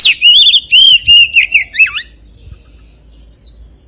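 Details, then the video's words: Oriental magpie-robin song in the 'forest voice' style: a quick run of loud, ringing whistled notes repeated several times a second, each note arching, before it fades into faint, high twittering. "CHÒE THAN HÓT GIỌNG RỪNG SIÊU HAY - Suara Burung Kacer Gacor"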